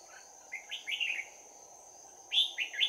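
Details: Bell-voiced red-whiskered bulbul at a trap in Đồng Nai, 11 January 2019, singing its fighting song at close range: two bursts of bright, rapid warbled notes separated by a pause, with a constant high whine behind.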